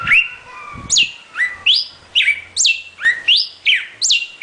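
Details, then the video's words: Northern cardinal (Cardinalis cardinalis) song: a loud series of sharp whistled notes, each sweeping steeply down from high to middle pitch, repeated about twice a second with a few lower slurred notes at the start. "BURUNG UNIK CARDINAL AMARELLO/Northern Cardinal"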